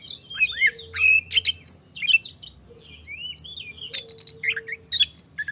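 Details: Oriental magpie-robin singing in the morning, used as a lure to spur other magpie-robins into song: rich, varied whistled phrases with rapid slurred notes, sharp chips and rising glides in quick bursts, a faint low hum beneath.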